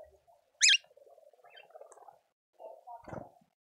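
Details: In a Pretoria garden in South Africa, a speckled mousebird at the feeder gives a single short, high, harsh call of dipping notes, followed by soft low warbling and murmuring from other birds.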